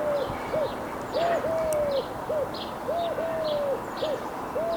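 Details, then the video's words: Eurasian collared dove (Streptopelia decaocto), recorded in the wild, giving low, hollow three-note coos, a short note then two drawn-out ones, repeated steadily; faint high chirps in the background. "Eurasian Collared Dove – Bird Calls & Sounds"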